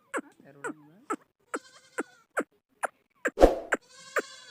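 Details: Chukar partridge call: a steady run of sharp, clucking chuk notes about twice a second, with a brief thump of handling noise partway through.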